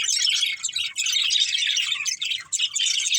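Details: Budgerigars playing and eating, a dense, continuous chatter of high, scratchy chirps and warbles overlapping without pause for the whole stretch.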